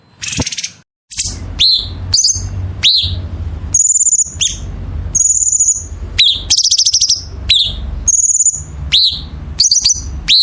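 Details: Masteran 'gacor' songbird song, a varied, fast medley of sharp downslurred chips, piercing sustained high whistles and short buzzy rattles, delivered almost without pause over a steady low background hum.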